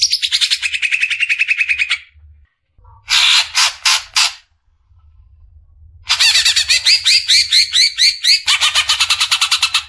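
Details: Greater green leafbird besetan, recorded as masteran for caged birds: a two-second rapid buzzy trill, then harsh rattling bursts, a pause, and a long fast run of scratchy, twisting notes that ends in a lower rapid chatter.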